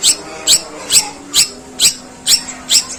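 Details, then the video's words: Long-tailed shrike song with long, harsh sparrow-call mimicry: loud, rough, high chirps repeated steadily about every half second, seven in a row, with a faint low hum beneath. "Suara pentet tembakan gerejaan panjang dan kasar"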